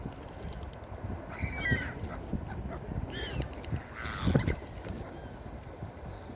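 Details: Beach gulls giving three bursts of screechy, falling cries about a second apart, the middle one a quick stacked series, amid a low roar of surf.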